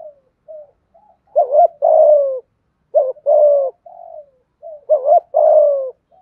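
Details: Full spotted dove song of calling, urging and cooing to stimulate rival doves; soft short coos punctuate repeated louder phrases, each a fluttering double note then a longer, gradually falling coo.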